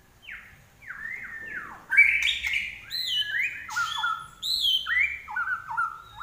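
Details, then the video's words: Common iora (larwo) in full, energetic song: a series of clear whistles sliding downward, followed by bright high notes and short, repeated falling phrases on a quiet background. "larwo Gacor"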